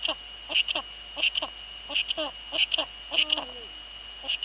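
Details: Eurasian eagle-owls in the Netherlands on 2 February 2013 at 19:15 in the evening, female at the nest with the male nearby: short descending harmonic notes in quick pairs, then a longer level hoot bending downward, over a steady high whine.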